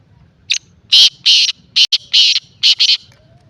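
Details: Black francolin (kala teetar) giving its harsh, grating call: a short opening note, two longer rasping notes, then a quick paired burst, with a second similar phrase following, over a quiet low background.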